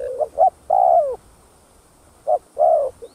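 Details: Spotted dove in thúc gù cooing to excite other doves: two quick short notes and a long coo falling at the end, a pause, then the same phrase repeated once more.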